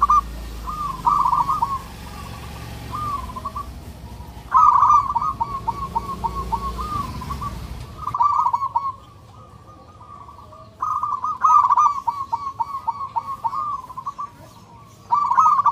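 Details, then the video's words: A loud local zebra dove sings to find a mate. Its rolling, stuttering coo phrases of rapid notes are repeated about every three to four seconds, with quieter pauses and low background rumble between them. "Perkutut lokal gacor suara NYARING dan KERAS"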